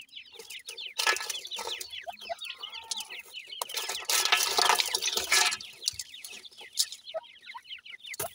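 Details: Sindhi grey francolin chicks while feeding: a busy chorus of thin, high, downslurred peeps repeated rapidly and overlapping, broken by two loud bursts of rustling, splashing noise.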